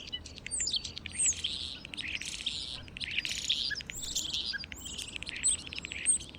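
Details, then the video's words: European starlings recorded for their varied, characterful sounds give dense, buzzy clicking chatter with thin high whistles and squeaks slipping through, running almost continuously in overlapping bursts. "Here you can hear the original European starling sounds."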